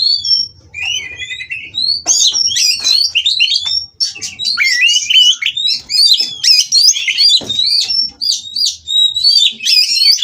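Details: Oriental magpie-robin at a breeding farm during mating, singing to stimulate rivals: a soft trill, then a long, energetic stream of varied whistles, sweeps and chatters, hardly pausing.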